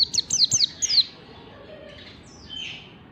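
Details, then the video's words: White-eye singing in the ngalas style, a training recording for caged birds: a quick burst of about six high, thin, downslurred chirps in the first second, then a faint twitter and quiet background. "Masteran pleci ngalas bukpar"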